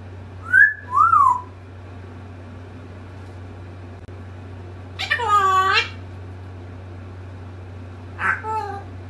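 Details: Pet African grey parrot talking and mimicking words and barking: two loud rising-falling whistles, then a longer harmonic, voice-like phrase, and a short final burst, over a steady low hum.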